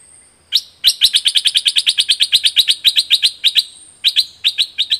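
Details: Thick-billed flowerpecker from southern Thailand, used as a decoy call: sharp, high, dry ticking notes delivered in a fast, steady series of about five per second, briefly pausing near the end before the ticks resume.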